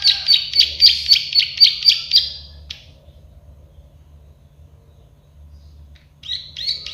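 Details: Plain prinia, the klik-klik or prenjak sawah bird, in a songbird tutoring recording: a rapid burst of about eight buzzy clicking notes, a few seconds of quiet, then the series starting again.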